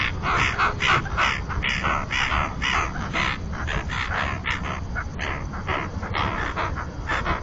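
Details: Common terns at the nesting colony on a floating platform in the Marismas de Astillero reserve, Bay of Santander, Cantabria, Spain, with pairs incubating. Harsh, rasping calls repeat rapidly and irregularly over a steady low rumble from a webcam.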